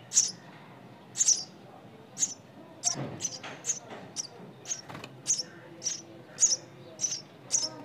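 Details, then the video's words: Loud, piercing chirps from nestling birds, repeated about once a second in a steady series, with a few soft knocks or rustles between calls. "Nestling Bird Sound"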